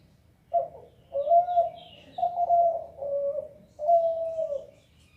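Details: Zebra dove calling a run of four linked low coos, some rising then steadying, others slightly lower, with faint higher bird chirps in the background.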